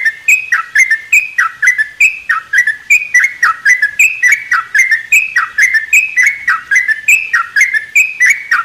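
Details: In a mini aviary at morning, a sooty-headed bulbul repeats a bright whistled note followed by a downward-slurred bubbly note, cycling steadily roughly every two-thirds of a second for the whole stretch.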